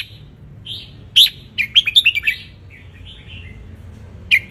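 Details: Wild Ratchaburi red-whiskered bulbul basking in the sun, song for teaching young birds to sing along; soft warbles lead into a quick run of bright chirped notes, ending with one loud slurred note.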